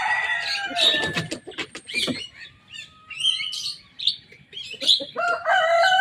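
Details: Young Javan myna in full song, imitating rivals' songs: a varied, jumbled run of harsh chatters, sharp clicks and short whistles, with one long, level, low whistled note held near the middle before the loud chattering resumes.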